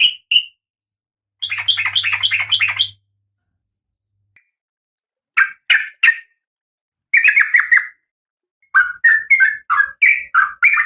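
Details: Female oriental magpie-robin in breeding condition calling the male: a short clipped note, then a harsh buzzy chatter, then bursts of rasping, descending notes, repeated in groups of three to five, with a faint low hum.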